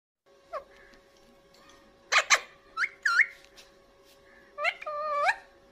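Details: Pet Indian ringneck parakeet, also called Alexander parakeet, heard while eating. It gives sliding whistled and harmonic calls, some rising and some falling, in short phrases. A steady low tone runs underneath.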